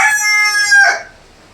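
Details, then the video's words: Big country rooster crowing indoors on a rainy day: one loud, harmonic-rich crow lasting about a second, held steady then breaking into a rougher final note before fading to quiet room noise. "Authentic big size country chicken crowing indoors on a rainy day"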